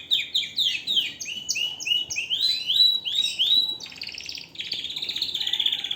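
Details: Canary singing loudly: a rapid run of high, swooping whistled phrases, each slurring downward, gives way after about four seconds to a sustained, buzzy rolling trill. The background is quiet.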